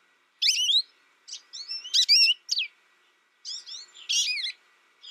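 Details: ['American goldfinch, kept alone since its first year and tutored by a recording, sings quick high twittery phrases: a clear burst, then a run of slurred whistles and chirps, a gap, and another bright burst.']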